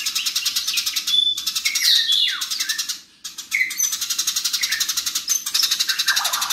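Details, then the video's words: House sparrows fighting, recorded as a tutor track for cage songbirds: loud, high, rapid chirps run in a dense rattling stream, with a few sharp downward-sliding notes, broken by a brief near-silent gap around the three-second mark. "BURUNG GEREJA NYERET SPEED RAPAT VOLUME KERAS GACOR KONSLET"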